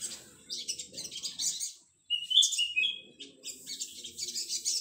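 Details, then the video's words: Energetic song of a young male Olive-backed sunbird: sizzling high-pitched chatter, a pause, then a short string of clear falling whistles before the buzzy chatter resumes. "BURUNG SRIGANTI /SOGOK ONTONG MUDA JANTAN GACOR"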